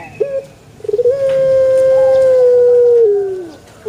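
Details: Male Barbary dove, played to prompt other doves to call along: a few short stuttered notes, then one long steady hooting coo held for about two seconds that slides lower at the end, over quiet background.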